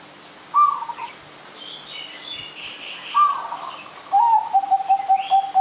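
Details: Zebra dove singing actively as a lure for other birds: two separate high coos, then a quick string of soft, evenly spaced lower notes, over background chirping of other birds.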